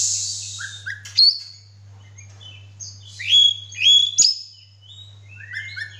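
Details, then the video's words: Oriental magpie-robin singing actively with tail spread: a hissy opening phrase, then clear whistles, sharp snaps and a final run of short falling chirps, with a steady low hum underneath. "kacer gacor"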